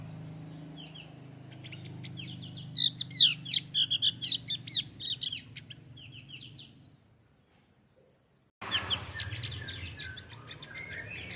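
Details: A male Javan grey-throated white-eye delivers a fast, high-pitched twittering run of short chirps that fades out, then near silence, followed by a sudden louder stretch of background noise.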